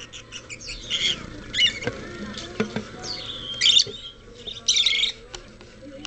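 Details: Rosy-faced lovebird in a pet shop, giving harsh, shrill squawks and grating chatter in uneven bursts, with a louder burst near the end. Sharp clicks and a low indoor hum run throughout.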